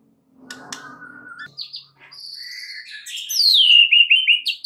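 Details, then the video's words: White-rumped shama song played as a lure to draw other shamas into full singing and widen their repertoire: soft scratchy notes and a level whistle, a pause, then loud descending slurred whistles in quick succession. "PANCINGAN Murai batu untuk MEMIKAT murai lain AGAR GACOR dan TAMBAH ISIAN"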